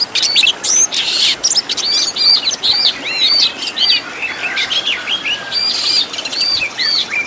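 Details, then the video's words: Oriental magpie-robin master recording with full 'isian tembakan' fill-ins for caged-bird training: fast, busy chattering notes, rapid arched chirps and harsh rasping bursts packed tightly together. "MASTERAN BURUNG KACER FULL ISIAN TEMBAKAN MEWAH LENGKAP"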